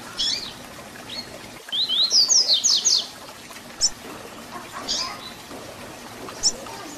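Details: Double-collared seedeater performing the Tui Tui Zel Zel fibra song for young birds to learn. One rapid phrase of sharp, high, slurred notes is followed by isolated high chirps.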